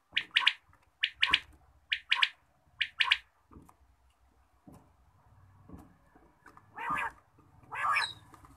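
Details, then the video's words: Morning calling of a quail: four brisk phrases, each a short note then a doubled note, about a second apart, followed by soft tapping and two longer husky, rasping calls. "batair ki awaz, Bater Voice, Bater Sound, batair ki awaz subha"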